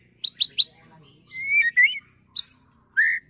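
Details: White-rumped shama song in the agitated rattling ketrekan style, with fill-ins copied from cililin and prenjak, used to provoke and train birds: three sharp chips, then a whistled rising and falling phrase and brief bright notes. A faint low hum underlies it.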